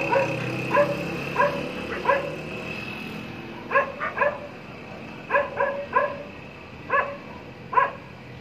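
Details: One of three black francolins calling from a high perch: short, harsh, ringing notes grouped in clipped bursts of two to four, repeated every second or two, against steady rushing background noise.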